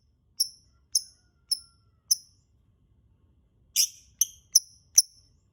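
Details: Lovebird voice meant to coax other lovebirds into song: four evenly spaced high clear chirps, a pause, then a harsh rasping screech followed by three quicker chirps.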